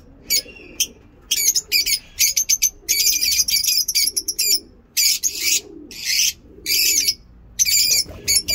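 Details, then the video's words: Ngekek-style singing by lovebirds kept in a mini zoo, morning: long shrill, grating chatter bursts lasting up to a second, repeated with short silent breaks throughout. "Lovebird ngekek lovebird singing in mini zoo"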